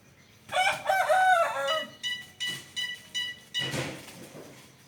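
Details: A bird described as a strange species gives a loud, rich, harmonic call of about one and a half seconds, followed by a rapid series of five short, abrupt notes.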